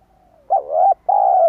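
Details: Spotted dove coo meant to entice wild doves: a brief lead-in note, then a loud rising coo and a long, even, slowly falling coo.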